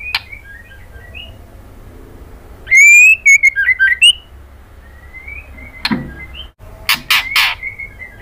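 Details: White-rumped shama female calling to a male: faint whistles open, then a loud fast phrase of slurred, wavering whistled notes, followed by soft rising whistles and several sharp click-like sounds near the end.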